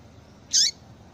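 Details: Single brief call of a female double-collared seedeater, meant to stir males: one bright high note that drops quickly in pitch, alone against a quiet, still background.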